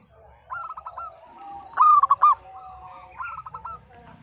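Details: Zebra dove song used to stir quiet birds to sing: soft rolling coos from more distant doves frame one loud, quick, rippling phrase of clipped coos in the middle.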